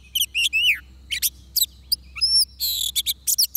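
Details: Oriental magpie-robin singing in a trapping setting with a decoy: quick rising and falling whistles, one long downslurred note, high sustained tones and scratchy bursts over a faint low hum.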